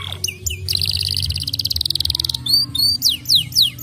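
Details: Canary song for encouraging other canaries to sing: a short note, then a fast rolling buzzy trill of rapidly repeated notes lasting about two seconds, followed by loud separate downward-sweeping whistles; low background hum.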